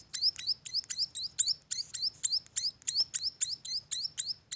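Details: Munia nestlings calling: a fast series of high, sharply rising chirps about four per second over a soft low background hum.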